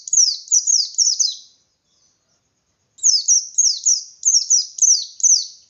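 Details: Forceful ngalas song of a white-eye meant to make other white-eyes answer and sing harder: a brief burst of quick high descending chirps, a pause, then a longer rapid sequence.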